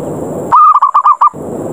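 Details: Single phrase from a zebra dove challenge call, 'ngerot ngayer' style, used as a lure to make doves descend: six quick, evenly pitched cooing notes in under a second, hiss before and after.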